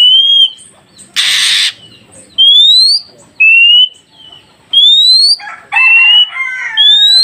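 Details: Oriental magpie-robin song aimed at getting newly caught wild birds to respond: pure level and rising whistles alternate, broken by a loud harsh noise burst early on and a cluster of lower, fluttering chirps near the end.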